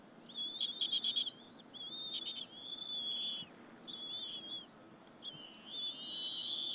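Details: Two young bald eagles feed on a squirrel with their mother at the Berry College nest on an April 2015 afternoon. Rapid stuttering chips open the recording, then longer piercing, wavering whistles come in repeated bursts.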